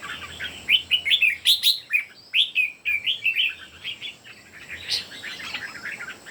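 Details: Three red-whiskered bulbuls singing in competition: bright, warbled whistled phrases of quick rising and falling notes, tumbling one after another with short pauses, loud and close, over a quiet background.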